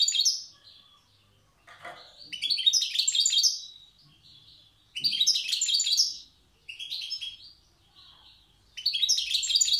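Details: Wild European goldfinch from Tiaret singing in the old song style: bursts of bright, jangling twitters and tinkling trills about a second long, separated by quieter pauses, repeated through the recording.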